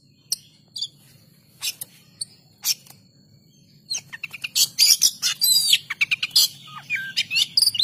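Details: Oriental magpie-robin singing energetically. A few scattered sharp chips over about four seconds give way to a dense, rapid burst of varied whistles, trills and buzzy high notes. A steady low hum runs in the background.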